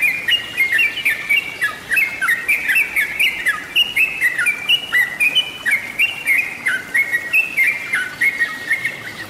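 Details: Bird-lure recording of Yellow-vented bulbul, busy chattering song of quick bright chirps and slurred whistles stepping up and down, about four notes a second, steady and unbroken throughout.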